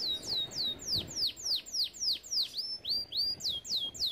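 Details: Canary song used to train canaries: evenly spaced downward-sweeping whistled notes, about three per second, over a light background hiss.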